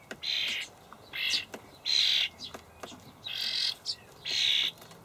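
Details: Young common starlings in a Hamburg allotment garden on 28 May 2012, begging as parents feed them dried buffalo worms: harsh, hissing rasps of about half a second, repeated irregularly with short gaps.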